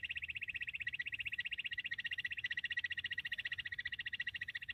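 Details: Bush quail call used for quail hunting: a dense, buzzy, high trill of quick regular pulses, broad in tone and unbroken for the whole stretch.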